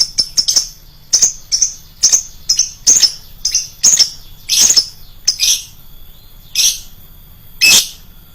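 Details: A lovebird calling shrilly for a lure recording: bursts of piercing chirps, some grouped in quick doubles, grow harsher and more screechy midway, then thin out to a few isolated squawks.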